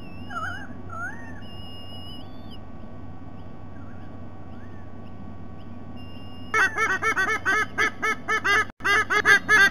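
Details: A white-bellied sea eagle, recorded 3 November 2020, gives a loud, goose-like honking series, about three notes a second, after faint slurred whistles and a low background hum.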